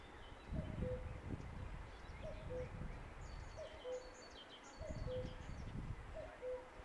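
A common cuckoo repeats its two-note, falling 'cu-coo' about every one and a half seconds over low rumbling wind, with faint high chirps from other birds.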